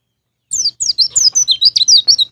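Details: Energetic white-eye song, 'ngalas ngeplong' style, meant to coax caged birds into singing: a continuous chatter of sharp, high, downward-sweeping notes repeated several times a second.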